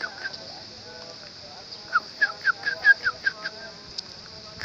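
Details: A sooty-headed bulbul, found at its nest during a nest search, gives a quick run of about eight bubbly, mid-pitched notes under a steady high insect drone.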